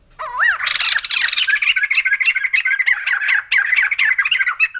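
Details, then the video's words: White-crested laughingthrush in a loud, continuous laughing chatter: a few rising notes open into a rapid, jumbled run of harsh, cackling syllables that keeps going without pause. "Poksay Jambul Putih || Burung Tertawa"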